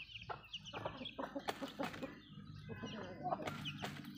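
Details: Hens in a backyard flock feeding and clucking, with low murmured clucks from several birds, brief sharp pecking clicks and a steady low background hum.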